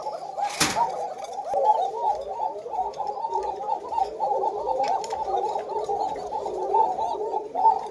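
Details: Black Koka domestic pigeon pair at a farm, a very thin-voiced bird, calling after chicks were taken out; steady rolling, gargling coos continue throughout with quavering low pulses, and a sharp click near the start.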